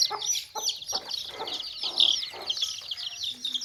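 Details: Baby chicks in a tokri (basket) with hens nearby: a dense, overlapping chorus of high, rapid chirps runs throughout, with several short, lower clucking bursts scattered through it.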